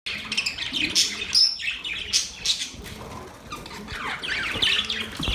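Budgerigars chatter in a busy, scratchy warble of rapid chirps and squeaks, with a brief clear whistle amid the continuous high twittering.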